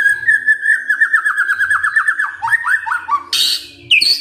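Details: White-rumped shama kretekan fighter sound used to make silent shamas respond: a fast rattling trill of repeated down-slurred notes, then a few looping whistles and a harsh noisy burst near the end.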